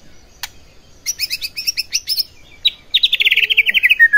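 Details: White-rumped shama song played to provoke other shamas. High, sharp chipping notes in quick bursts, then a rapid, even trill sliding slightly downward, closing on a lower drawn-out whistle.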